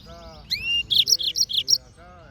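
Yellow-fronted canary singing a bright, high phrase: a rising whistled slur, then a quick run of five or six sweet, sharp notes; faint low hum behind.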